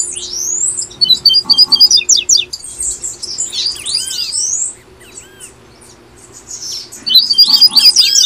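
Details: Brazilian double-collared seedeater singing the 'tui tui' style, meant to prompt caged birds to sing: bursts of sharp high chirps and sweeping whistled slurs, a quiet pause near five seconds, then another rapid twittering burst, low hum beneath.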